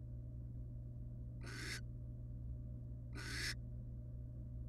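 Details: Two harsh, airy hissing calls, roughly two seconds apart, from a wild barn owl family resting together in a nest box, with a steady low hum behind.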